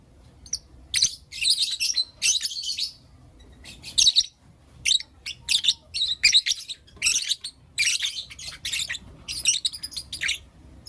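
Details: Continuous morning chirping from Blue Opaline and Lutino Opaline lovebirds, dense shrill and rasping notes in fast bursts of three to five, barely pausing across the recording.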